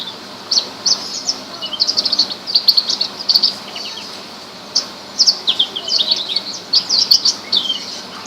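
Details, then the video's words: Horsfield's bush lark, a rare bird, singing: a busy run of high, thin chirps and short trills, some descending slurs, delivered in quick bursts with brief pauses. "suara burung branjangan"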